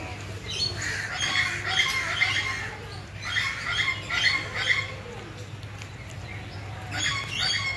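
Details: African grey parrot, recorded 13 November 2021, giving harsh, raspy squawking bursts in two clusters, one early and one midway, then a shorter burst near the end, over a steady low hum.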